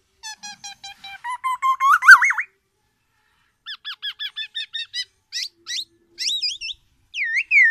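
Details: Black-naped oriole, a tame and frequent singer, gives a loud, distinctive song: a quick stutter of level notes swelling into rising slurred whistles, a short pause, then clipped high notes and two looping whistled phrases.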